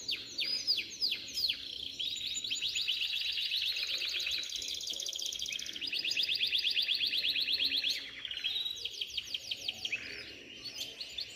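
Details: Bred canaries singing vigorously: long, dense rolling trills of rapid high notes, some segments buzzy and others more clipped, running almost without pause.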